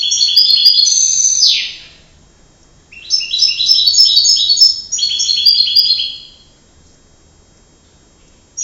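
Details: Canary voice: a high rattling trill dropping into a downward slur, then after a pause a longer phrase of layered, rapid chattering trills, in a quiet setting.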